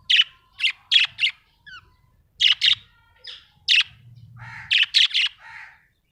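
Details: Happy budgerigar giving loud, sharp chirps in tight clusters of two to four, separated by brief silences. A soft descending squeak and a quiet low hum are also heard between groups.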